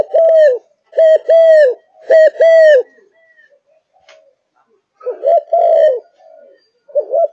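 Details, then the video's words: Malaysian spotted dove in full singing condition: three loud pairs of low, round coos, a quiet pause, then softer wavering coos with a long drawn note. "Cu Gáy Malaysia Căng Lửa, Chơi Từ Sáng Tới Tối"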